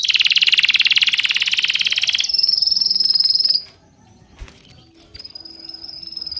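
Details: Bird chirping: a rapid high trill shifts into a thin sustained whistle, followed by a quiet pause and a fainter high whistle returning.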